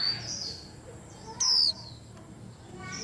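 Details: White-eye giving one bright, piercing whistle that falls in pitch. Fainter high chirps and twitters from other birds in a commotion-filled rack run before and after it.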